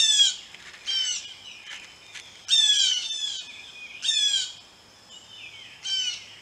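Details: Loud, raspy calls from blue jays arriving at a birdbath come in bursts roughly every one to one and a half seconds. Each note is rich in harmonics and bends downward.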